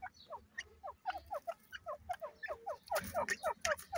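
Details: Irani teetar (francolin) in a lively mood giving quick, sharp, downward-slurred chirps, about four per second, steady and repeated, with harsher bursts toward the end and a low background hum.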